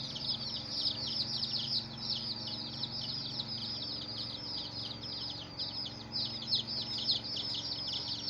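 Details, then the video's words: Numerous chicken chicks calling, rapid high-pitched peeps falling in pitch, packed closely into an unbroken chattering chorus with occasional louder individual chirps. "Hen Murgi Baby "Chicks Chirping" Sound"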